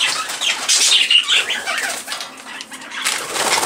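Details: Aviary budgerigars in a birdroom, airborne and active: overlapping high scratchy chirps and chatter mixed with fluttering wingbeats from birds in flight.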